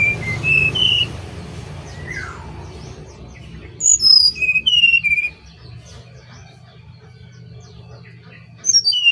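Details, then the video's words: Brown-chested jungle flycatcher song: short, clear whistled notes, some sliding downward, in a quick cluster midway through, over a steady low hum with faint background chirps. "SRDC (sikatan Rimba Dada Coklat ) Bali Gacor Dikit Joz"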